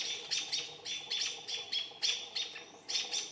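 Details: American robins lead the mobbing of a barred owl, giving sharp, high, squeaky alarm notes in uneven bursts, about two each second; hours later the barely moved owl was still being mobbed, a little less enthusiastically.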